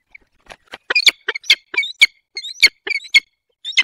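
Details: Wild peregrine falcon pair at their nest in the Barycz Valley on 28 February 2023, calling during mating in the morning. Harsh, squawking, chattering notes come in a rapid uneven series of about a dozen sharp bursts, with nothing else audible.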